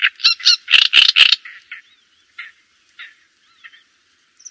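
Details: Java sparrow giving a loud, harsh burst of several broad clucking notes over the first second, followed by softer spaced chirps and faint thin whistles trailing off.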